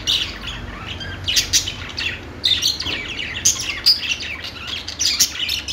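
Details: Chirping budgerigar song with quick twittering phrases, thin whistles and raspy notes, delivered in uneven bursts with a brief dip near the middle.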